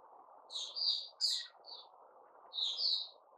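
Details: Caged white-crowned shama (Puteh Raja) during a new-feather season, September 2021, singing short bursts of warbled, whistled notes, some sharply rising, against a low continuous hum.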